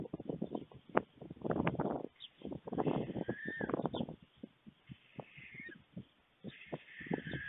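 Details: Feeding visit at a white stork nest in Fohrde, Germany, 21 July 2019, 1:45 p.m.: the adult male delivers food to two young. Rapid irregular clattering bursts mix with brief scratchy, wheezing calls and gliding hoarse notes.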